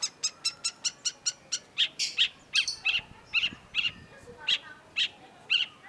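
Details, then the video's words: Long-tailed shrike song opening with a fast, even string of ticking notes, then breaking into louder, varied chirps and harsh, scratchy slurs. "cendet gacor LANGSUNG GACOR !! PANCINGAN CENDET MACET || Long-tailed Shrike"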